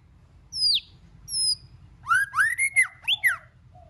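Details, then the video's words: White-rumped shama giving varied song that encourages other shamas to sing: two separated high falling whistles, then a rapid cluster of rich upslurred and looping notes, ending with a downward slur. "Kích Chòe LửA HóT,chòe lửa hót nhiều giọng"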